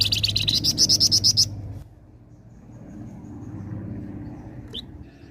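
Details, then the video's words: Flamboyan giving energetic lure song for flocks of birds: a fast run of about ten piercing, high, buzzy notes rising slightly in pitch, cut off after a second and a half, then a lone faint chirp over steady low hum. "flamboyan gacor cocok pancing burung ombyokan"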